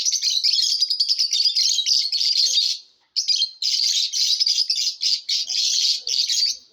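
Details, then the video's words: Lovebirds chirping in a competition: shrill, high-pitched chatter in dense rapid bursts, broken by a brief pause just before three seconds, then resuming in choppy, scratchy runs. "Love BIRDS ChAPRING SOUNDS COMPETITION"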